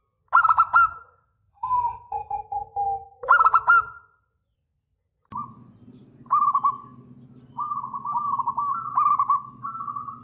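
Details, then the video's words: Local zebra dove singing long-phrase song: stuttering trilled coos and lower drawn coos early on, then softer wavering trilled coos over a steady low hum in the second half. "Perkutut Lokal GACOR !! Suara ANGKATAN PANJANG"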